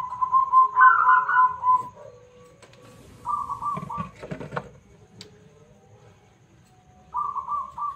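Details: Loud local zebra dove singing as a lure for other birds; trilled, vibrating coo phrases, one long and two shorter, with rattling clicks and knocks partway through.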